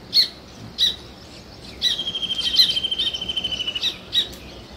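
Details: Nest-building weaver birds: isolated sharp chirps, then a two-second train of quick clicking notes gently falling in pitch, followed by more single chirps.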